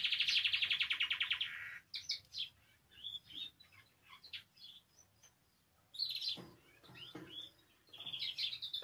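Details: Singing canary, its song offered to encourage other canaries to sing: a fast buzzy trill opens, then varied chirps and whistled notes with short pauses, and a closing rapid trill.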